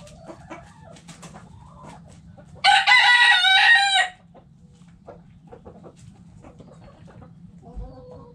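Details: Backyard chickens in their coop: a rooster gives one loud, harsh, drawn-out crow in the middle, with scattered soft hen clucks before and after against a low steady hum.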